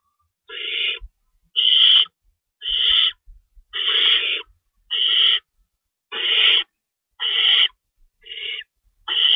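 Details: Owls calling at the nest during a predawn feeding on March 25, 2012. About nine rough, hissing screeches come at a fairly regular pace, roughly one per second.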